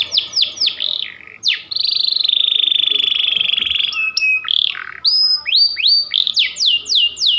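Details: Domestic white panda canary singing a long, insistent training song: rapid falling whistled notes, a sustained buzzy trill, then quick upslurred and downslurred phrases repeated several times a second, loud and close.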